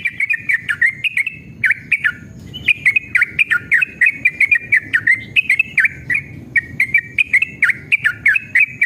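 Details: Yellow-vented bulbul in emotional, fighting song used as a lure to provoke other bulbuls into singing: a long, fast run of bubbly, chattering notes rising and falling in quick bursts with almost no pause, over faint low background noise.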